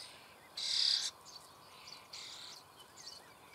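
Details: Starling nestlings fed in their breeding hole near Büchel in Germany's Eifel: one loud, half-second harsh hissing shriek, then a quieter rasp and faint scratchy sounds.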